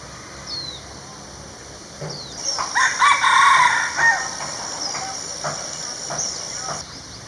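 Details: A wild male red junglefowl gives one short, hoarse crow that breaks off sharply after about two seconds, over a steady high insect drone and faint bird chirps.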